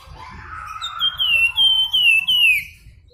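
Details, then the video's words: Javan Fulvetta (flamboyan) singing in the flute-like nyuling style: four clear, high whistled notes in quick succession, each slightly wavering and the last sliding downward, over a soft low hum. "Flamboyan Gacor Nyuling"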